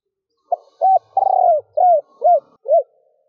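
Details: Female spotted dove cooing to excite males, in a stuttering pattern with three ending notes: short hoot, rounded note, long buzzy coo, then three arched notes about half a second apart, with no other sounds.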